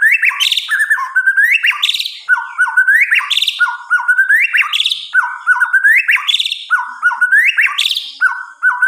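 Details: White-rumped shama singing at night: loud, varied phrases repeated roughly every second, each with rising whistled notes and sharp high flourishes, delivered in a steady rhythmic series with brief gaps between phrases.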